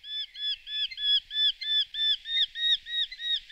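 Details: Eurasian hobby repeating short arched notes at an even pace, about three per second, in a rhythmic chattering series.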